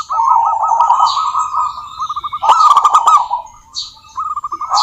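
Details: Local zebra dove song meant to stir doves into singing. A long rapid trilled coo opens, followed by a burst of sharp clicks over further coos, then a new rolling phrase at the end.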